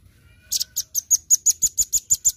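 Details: Rapid high chipping from a Velvet-fronted nuthatch, a lively 'gacor' masteran song: roughly twelve sharp, evenly spaced notes starting half a second in, growing slightly louder.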